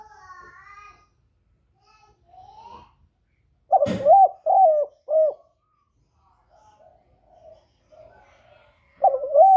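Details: Spotted dove call in a recording made for stimulating newly kept doves to coo: faint chirps and a sharp click, then three strong wavering coos, quiet distant coos, and another loud coo near the end.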